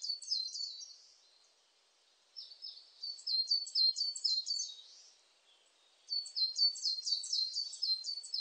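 A coal tit sings thin, very high two-note phrases, repeated rapidly in three bursts of a second to three seconds, with brief quiet pauses between them.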